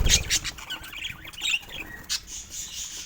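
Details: Pet budgerigars chirping with sharp scratchy notes and brief squawks, bursts of high chatter separated by short pauses, with rustling and low bumps of movement at the start.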